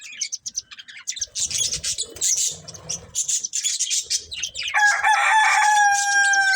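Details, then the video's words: Chirping from a breeding pair of budgerigars: irregular high scratchy twitters, then from about five seconds a loud sustained harmonic squawking tone dominates. "Cute Budgies Chirping Sounds"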